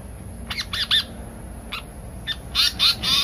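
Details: Asian paradise flycatcher lure call, the brown bird, played to attract birds: harsh, buzzy, down-arched squawks in quick bursts of two or three, with a pause between bursts.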